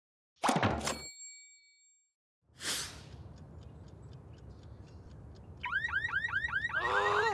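A sharp knock with a ringing tone, a second of silence, another thump, then a low rumble leading into a loud warbling car alarm that sweeps up and down rapidly for the last two seconds.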